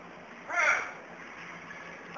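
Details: Black-capped lory, a pet bird, calling angrily because its owner would not pick it up: a single harsh, raspy screech lasting about a third of a second, over a quiet background hum.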